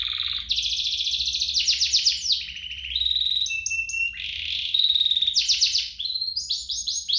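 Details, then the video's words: Lively canary song used to lure other canaries into singing: buzzy rolls, rapid repeated chopped notes, steady whistled tones and stepped rising phrases, almost continuous. "Kompilasi DUO GACOR, cocok untuk pancingan kenari biar gacor, masteran kenari paud"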